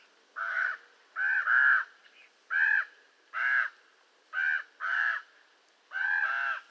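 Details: Common raven uttering nine rough, grating caws, some single and some in quick doubled pairs, at an uneven pace of about one per second.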